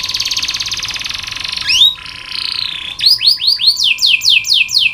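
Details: Canary training song meant to coax quiet birds into singing: a loud, fast buzzing trill, a brief sliding whistle, then rapid repeated downswept notes about five per second, with a steady hum underneath.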